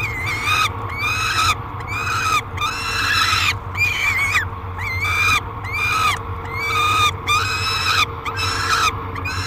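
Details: Peregrine falcon begging at its nest box during feeding, Great Spirit Bluff, July 2021: rhythmic harsh screams roughly every second, each a rasping note that bends slightly, repeated about ten times over a low electrical hum.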